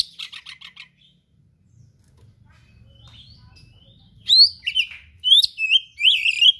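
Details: Actively singing oriental magpie-robin with varied rare song material: a quick series of rapid buzzy chips, a quiet pause with low rumble, then loud, sweeping whistled notes and warbles in quick succession.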